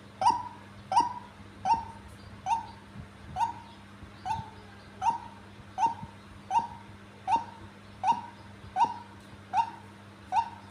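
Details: Tame female white-breasted waterhen (ruak-ruak) calling persistently: a short, downslurred nasal note repeated steadily about every three-quarters of a second, over a constant low electrical hum.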